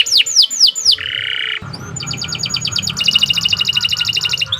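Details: Canary song: a few falling whistled notes, a harsh buzzy roll, then quick clipped tours of repeated notes speeding into a fast rattling trill over a low background rumble.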